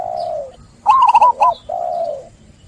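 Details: Zebra dove song as a lure for doves silenced by stress after trapping: a long falling coo, then a short loud trill of clipped notes, and another long, slightly rising coo.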